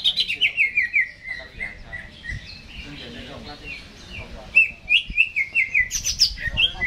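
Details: Caged greater green leafbird singing before being hung up, giving rapid runs of short, sharp, sliding chirps, a brief quieter lull midway, then a fast bright burst of repeated notes toward the end.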